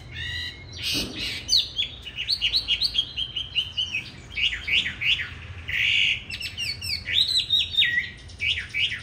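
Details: A 'Lục Đậu Thanh' Chinese hwamei gives fighting song meant to train other hwamei to sing gently: a rich, varied torrent of whistles, trills and dipping slurred phrases with few gaps.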